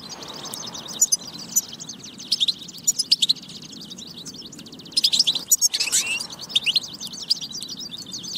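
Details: Dense European goldfinch twittering meant to prompt goldfinches to sing: a fast, jingling stream of high chirps, with clusters of loud sharp notes around the first, third and fifth seconds and a brief rising buzzy sweep near the sixth second.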